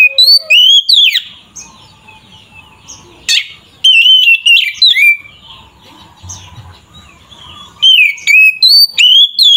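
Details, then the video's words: Oriental magpie-robin singing loud, fighting-style song to provoke other magpie-robins: three bursts of clear whistled notes rising and falling, with sharp clicks, separated by quiet pauses. "Suara burung Kacer GACOR ini sangat ampuh untuk menaikan emosi kacer"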